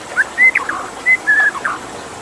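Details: White-rumped shama with water in the background: a few clear, level whistles mixed with softer slurred notes, spaced unevenly over two seconds.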